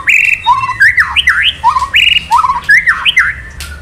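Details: Male white-rumped shama in kretekan, meant to trigger singing in other males: strong rich whistles mixing flat held notes with rising and falling slurs in rapid, varied phrases.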